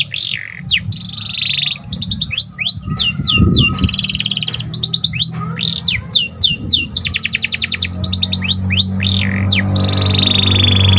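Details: Actively singing Panda canary, its song used to excite other canaries: varied phrases mixing downward-sweeping whistles, fast rattling trills and buzzy held notes, with a soft low rumble and a few thumps behind.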